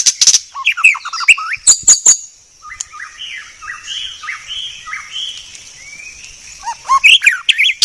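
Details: White-rumped shama, presented as a very clear song: sharp chips and quick notes, then a softer series of short rising whistled notes, ending with louder chattering phrases.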